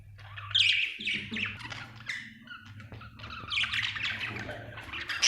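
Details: Budgerigar chirping: dense, continuous warbling chatter of rapid high chirps and squeaks, swelling at the start and end, over a steady low electrical hum.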